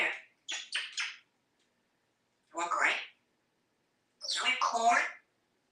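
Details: Talkative pet parrot in Texas, hatched in 1997 and wearing a collar, speaks indoors: three separate bursts of raspy, speech-like chatter with broad harmonic sound, each under a second, spaced by short silences.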